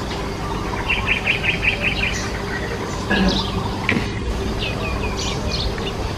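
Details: A sparrow at nest-building time gives a quick run of about six short, even chirps, followed by scattered single chirps, against a constant low mechanical hum.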